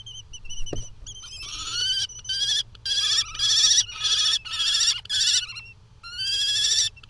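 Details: Two European kestrels, both parents, arguing in the Netherlands on 6 June 2020: bursts of harsh, whining, harmonic notes, rising then level, repeated in rapid series with short pauses, one loud knock early on.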